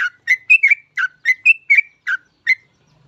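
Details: A singing yellow-vented bulbul whose lively voice is meant to draw other bulbuls into song. It gives a quick series of fluty, slurred whistles in close pairs, about ten notes, then falls quiet.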